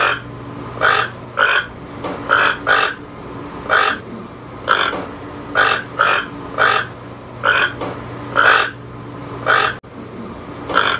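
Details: Toucan giving hoarse, croaking notes in short bursts, roughly one or two per second, uneven in rhythm, over a steady low hum.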